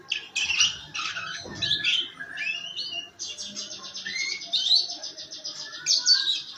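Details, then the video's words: Canary in harsh 'ngeriwik' song meant to prompt other canaries to sing: varied high chirps and slurred whistles, then a long rapid buzzy trill with bright rising notes layered over it. "kenari ngeriwik kasar buat pancingan"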